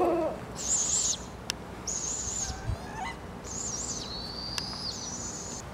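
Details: Barred Owls of a family in British Columbia, Canada, giving three long, harsh, high hissing screeches, each lasting about half a second, with a brief lower wavering note at the start and faint background noise.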